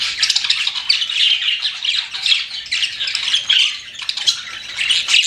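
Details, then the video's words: Captive budgerigars chirping, a rapid scratchy warble mixed with sharp squeaks and whistled notes, steady and unbroken. "CUTE PET BUDGIES CHIRPING"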